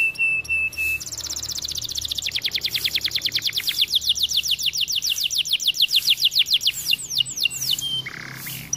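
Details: Song of a white canary: a short steady whistle, then a long rapid trill of sharp notes that speeds and swells for several seconds, ending in a few downslurred whistles.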